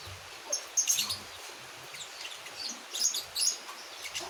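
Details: Javan white-eye, a one-month-old young bird learning to sing: scattered thin high chirps and short twittering bursts with pauses between them, soft and unstructured.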